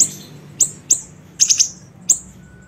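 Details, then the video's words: Siri-siri bird lure call: a handful of sharp, very high chips, spaced irregularly with one quick triple cluster, against quiet low hum. "MASTERAN PANCINGAN PIKAT SUARA BURUNG SIRI SIRI KECIL"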